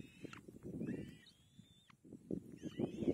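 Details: Young kite being fed by its mother, one drawn-out thin whistle held level for nearly a second, then a burst of overlapping high squeals, with intermittent low thumping and rustling.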